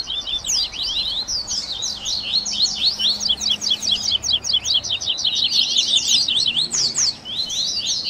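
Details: A chorus of double-collared seedeaters singing a tui tui baderna for captive-bird training; quick, buzzy high notes in steady rhythmic runs, swelling into a dense rattle of short chirps.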